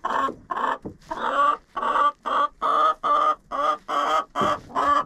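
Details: Chicken in a coop, recorded with a GoPro inside: a steady run of about a dozen loud harsh squawking notes, each roughly a third of a second long, repeated almost twice a second.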